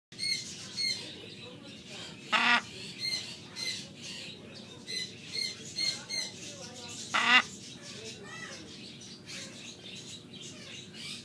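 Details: Caged Catalina macaw in a pet shop in Livonia, Michigan, letting out two harsh, loud squawks about five seconds apart, amid softer chattering and human voices in the room.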